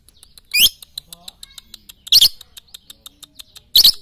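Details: Lovebird training recording meant for morning, noon and night: three loud, harsh, rising screechy chirps about every second and a half over a steady background of faint, rapid, evenly spaced ticking chirps.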